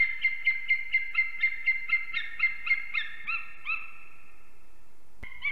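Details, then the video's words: Adult eagles at the Ķemeri nest in Latvia, early morning of 8 March 2024, calling around mating. A run of yelps slows and fades out after about four seconds, followed by a sharp knock. "Ķemeru Eagles~🎵 Morning Chorus, Arrival Mating & Singing"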